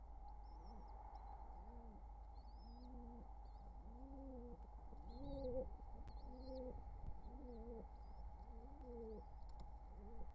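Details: Wild pigeon pair in courtship at the nest with nestlings, summer 2023, delivering a long rhythmic string of deep two-toned arched coos about twice a second, with faint high squeaks overhead and constant hum.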